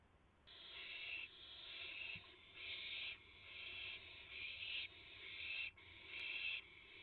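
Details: Owl at the nest while a rabbit is brought in and shared, early morning darkness on April 7, 2016; a run of about eight harsh hissing screeches, each under a second, almost back to back.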